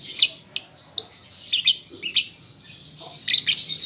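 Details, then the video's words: {'caption': 'A young lovebird learning to sing gives single piercing chirps about every half second, then paired scratchy notes. It closes with a denser burst of buzzy squeaks.'} "Pancingan Lovebird Paud Belajar Bunyi"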